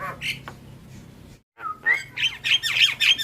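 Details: Javan myna in lively song. A short pause and a falling whistled note lead into loud, grating squawks and chattering notes repeated several times a second.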